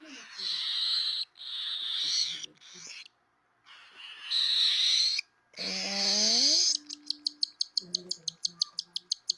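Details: Hungry albino cockatiel chick, a hand-raised female, giving a raspy, hissing, dinosaur-like begging cry. Breathy bursts come with short pauses, followed by a low moaning tone and a rapid series of clicking pulses.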